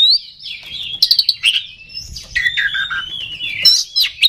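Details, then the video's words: Oriental magpie-robin song meant to provoke rival kacer: drawn-out slurred whistles and buzzy notes, some descending, broken by sharp chips, with a faint low rumble underneath. "Suara Pancingan Kacer Agar Cepat Emosi Gacor ! Pancingan Paling Ampuh Buat Menaikan Emosi Kacer"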